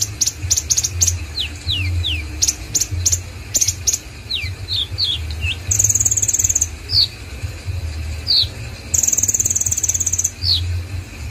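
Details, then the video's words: Konin song recorded in Indonesia: rhythmic groups of sharp ticks and falling whistles, followed by two long, bright, rapid trills separated by quick slurred notes, all above a steady low hum. "BURUNG KONIN OKEPUNYA NIH GACORNYA"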